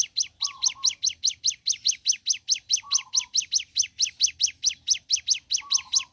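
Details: Ciblek gunung in morning song, delivering a steady, rapid series of bright descending chip notes. Brief lower burbling phrases recur every couple of seconds.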